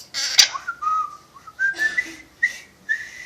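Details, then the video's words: Whistling pet parrot indoors, said to know a film marching song: after a harsh squawk, clear whistled notes climb step by step, each short and slurred upward, ending on a higher held note. "The Whistling Jungle Parrot"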